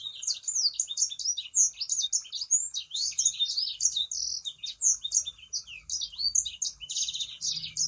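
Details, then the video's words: Sangihe shrike-thrush singing vigorously, played as a lure to make other birds sing: unbroken, rapid, high-pitched chatter of varied slurred and buzzy notes, loud and even throughout. "Burung Sanger Gacor"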